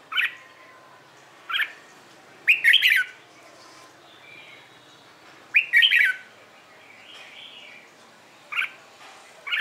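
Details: Morning training song of a red-whiskered bulbul for singing contests: brief sharp whistled notes and short chattering phrases spaced several seconds apart, with a soft warble between them.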